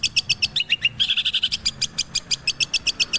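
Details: Long-tailed shrike song: steady rapid high clicking notes, broken once by a few falling slurs and a short buzzy rasp.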